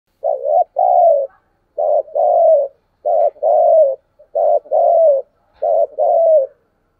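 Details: Decoy spotted dove calling and cooing at dawn, a recording used to train pet birds to call. Low, mellow coos come in five evenly spaced pairs: a short note, then a longer, slightly falling one. The background is quiet.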